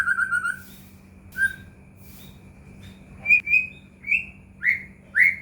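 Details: White-rumped shama lure recording for caged birds: a short stuttered whistle series, isolated clear notes, then rising whistled notes spaced about half a second apart, above a faint hum.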